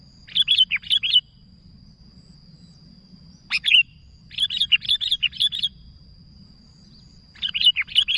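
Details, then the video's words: Lively chattering from a sooty-headed bulbul calling its companions: rapid strings of bubbling, warbled notes broken by a single sharp chirp, with quiet gaps and a constant faint high tone. "Suara Burung Kutilang Gacor Memanggil Kawan"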